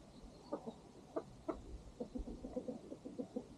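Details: Farm chickens with a rooster at sunset, the farm dog eating close by; a steady series of short, soft clucks, about four per second at times, evenly pitched and repeated throughout.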